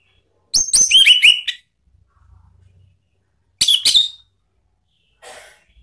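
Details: Ngeplong-style lure song of an orange-headed thrush, played to make a pet bird reply. A quick run of sharp, repeated high notes, a short pause, then a second brief whistled burst, ending in a faint rustle.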